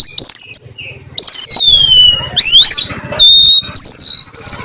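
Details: Afternoon singing of an oriental magpie-robin, kept bird: loud sweet whistles, long descending slurred notes, a sharp rising sweep and steady high whistled tones, with a soft low background hum.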